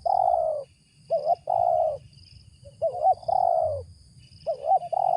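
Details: A wild spotted dove, dominant at its site, with a deep, raspy voice, answers a lure with soft, hollow coos in short phrases, quick wavering notes leading into longer falling ones, over a faint low rumble.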